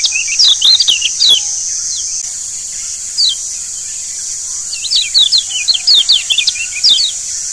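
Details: Kecial kuning, the Lombok yellow white-eye, in a lure recording for getting birds singing: bursts of rapid, high, downward-slurred twitters at the start and again later, separated by a pause with one short phrase, steady hiss behind.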